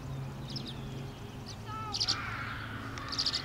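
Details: During nest building and courtship, tree swallows give brief, high, liquid chirps and twittering bursts in a loose, irregular series over a low steady background hum.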